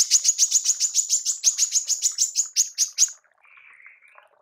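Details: Female manggar kept for mastering songbirds, giving a fast, steady series of about fifteen high, shrill chirps over three seconds, followed by a faint, wavering thin whistle.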